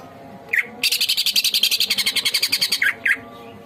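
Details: Lively greater green leafbird song used as masteran. A sharp whistle precedes a two-second string of rapid, evenly pulsed harsh chattering notes, closed by two more clear whistled calls. Low background hum is present.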